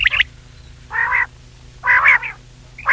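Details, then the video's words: Common quail call used for hunting, heard as loud, rough three-pulsed notes repeated about once a second with a steady low hum underneath. "quail voice for hunting | Batair ki awaz Raat | common quail voice"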